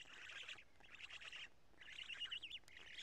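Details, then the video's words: At Karula on the evening of 2 June 2017, black storks change over and feed; two buzzy, rasping bursts, the second ending in wavering whistled notes. "Black Stork~Change and Feeding"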